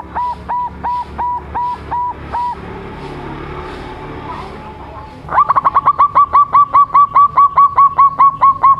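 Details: Young local zebra dove of the 'suara panjang' (long voice) type, with another dove nearby: a series of clear repeated notes, a noisy gap with background hum, then a fast, steady run of bright clipped notes.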